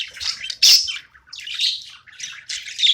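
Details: Budgie at play giving short bursts of harsh, buzzy chatter, with one loud squawk near the start, then scratchy warbled phrases separated by brief gaps.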